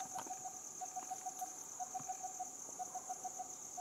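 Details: Coppersmith barbet giving runs of brief, evenly pitched tapping notes, several per second in little clusters, set against a constant shrill insect drone and a few faint clicks.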